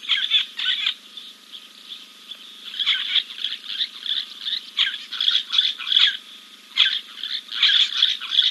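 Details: On the King's Camp live camera, 2 April 2024, a giant kingfisher preens after a dip; bursts of coarse rattling notes recur every second or so, layered over a persistent high hum.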